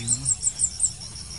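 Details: Blue-crowned hanging parrot recorded while being lured for trapping: five very high, thin, sharp notes in quick succession, then a steady high background hiss.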